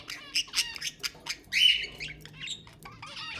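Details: Budgerigar chatter meant to stimulate mating: a run of short, harsh squawky notes and rasping chirps with one longer, louder buzzy note near the middle, then softer scratchy twittering.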